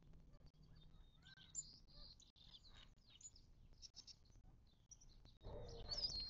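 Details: Desert birds at a watering hole in the western Mojave Desert of southern California, near Joshua Tree National Park, on 19 March 2024. High, quick chirps and twitters overlap almost continuously, with a burst of broadband rustling near the end.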